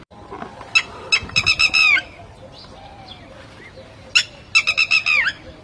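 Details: Red-wattled lapwing giving alarm calls when it has lost its chick: two loud bursts of rapid, shrill, sharply repeated notes, each run ending in a slightly falling note, separated by a quieter pause.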